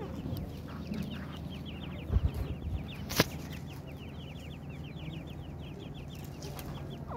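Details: Teetar (francolin) chicks peeping, said to be calling for their mother: dense runs of high, thin, down-slurred chirps, interrupted by a few loud clicks and knocks, over steady low background noise.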